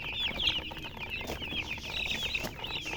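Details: Clear, close chorus of baby chicken chicks: bright, piercing, downward-slurred peeps repeated rapidly and overlapping, with little background noise.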